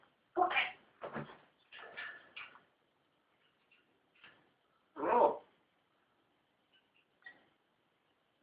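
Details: African grey parrot, a new pet, talking: a cluster of word-like sounds early on, quiet clicks, then a loud single utterance and faint soft noises afterward.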